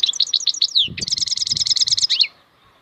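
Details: Continuous bright twittering from a wild European goldfinch (maknine khalwi): slurred high notes give way to a fast, regular series of chirps, with soft low knocking sounds underneath.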